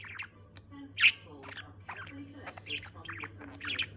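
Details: Chubby male pet budgerigar (Melopsittacus undulatus) chattering and singing steadily, mixing scratchy warbles, clicks and a sudden sharp squawk.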